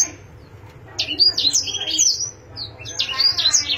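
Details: Pet canary song: a short quiet start, then bursts of high chirps and rapid buzzy trills in two phrases separated by a brief pause, over a faint low hum.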